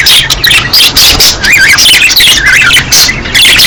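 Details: Mating-season budgerigars warbling: wavy, sliding chirrups and quick high twitters overlap densely, a few wavering phrases standing out above the babble.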